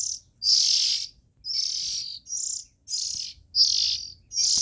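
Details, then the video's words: Young Oriental magpie-robin emitting six strident rasping calls in under five seconds, each a broad, breathy high hiss with brief silences between. "Tiếng Chim Chích Chòe Than Non Kêu Hay Nhất"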